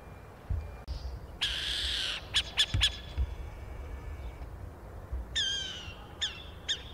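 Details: A young burrowing owl (Athene cunicularia) in Brazil gives a long, harsh rasping hiss, then a few short raspy bursts and later thin, falling squeaky notes over a quiet rural background.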